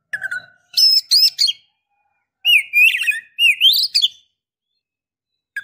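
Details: Female Oriental magpie-robin luring a male to stir territorial excitement and mating urge; a low whistle, then buzzy chirps and two rising slurred whistles, ending in silence.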